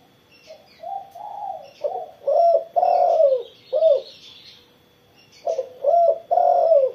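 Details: Tekukur, the spotted dove, in full song after being sunned in the morning: a run of rounded, hooting coos, rising and falling, in two bursts split by a short silence, with faint high bird chirps behind.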